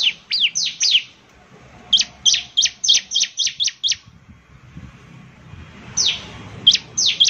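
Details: Bar-winged prinia in lively song, giving clusters of rapid, high, downslurred chips, a quiet gap of about two seconds, then a few more sharp notes.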